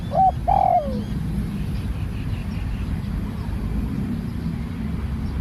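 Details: A newly trained Spotted dove, out for practice, opens with one brief coo phrase: a short note, then a drawn-out coo that drops away. After that only a steady deep rumbling background noise continues.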